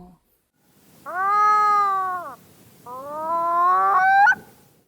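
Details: Pacific Loon giving two drawn-out, cat-like wailing calls likened to cats yowling at night, the second rising and breaking sharply at its end.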